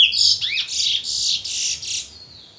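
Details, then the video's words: A bullfinch in Trinidad gives a short, loud, buzzy burst of high whistled notes with a swooping slur, fading after two seconds. "Bullfinch Trinidad HD Audio"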